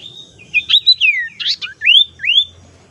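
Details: Lure call of a tailorbird, meant to attract birds or prompt a quiet one to sing: a lively string of clear whistled notes, slurring up and down, with bright rising upslurs near the end. Clean, quiet background.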